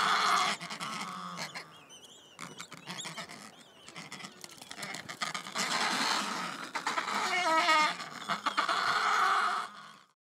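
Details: At a noisy Adélie penguin colony on the Yalour Islands, Antarctic Peninsula, with chicks already fed, a sudden squabble of several minutes breaks out for no obvious reason: harsh braying squawks in ragged overlapping bursts over constant colony chatter.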